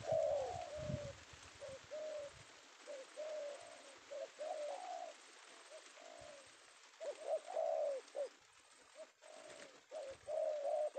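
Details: Male spotted dove (tekukur) of the penguku type, caught in the afternoon in Indonesia, giving short wavering coos in a steady string over a continuous hiss, with a few low thumps early on.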